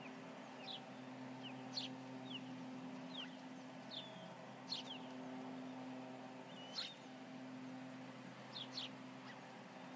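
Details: Osprey calling at its Charlo nest on July 29, 2019, late morning, as intruders come near: a loose string of thin, piercing descending chirps, singles and doubles every second or two, above constant electrical hum and hiss.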